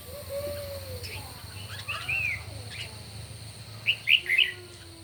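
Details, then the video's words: Red-whiskered bulbuls in a morning singing contest: short bright chirped notes, a lone slurred note near two seconds, then a burst of three loud chirps near the end, over a faint low hum. "Chim Chào Mào Hót Đấu Buổi Sáng Cực Căng"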